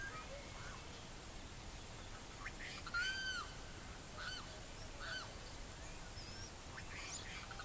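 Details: Savanna hawk in Barinas, Venezuela: a single clear arched, slightly hoarse note near the three-second mark, with a few fainter similar notes after it over a steady hiss of background noise.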